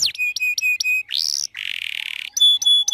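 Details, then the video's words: Canary in varied 'gacor' song, played as a lure for young birds learning to sing: clipped ringing notes in a row, a rising whistled sweep, a harsh buzzy stretch, then bright repeated pure notes. "Kenari gacor panjang Merdu Cuit Cuit EMOSI, Pancingan Kenari Paud Belajar Bunyi"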